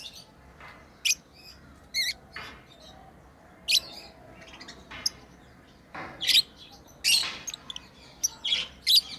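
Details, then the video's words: Lovebirds kept as pets chirp while playing, a busy run of shrill high chirps and squeaky notes, irregular and growing denser toward the end, with some rustling. "Lovebirds playing & Chirping sounds"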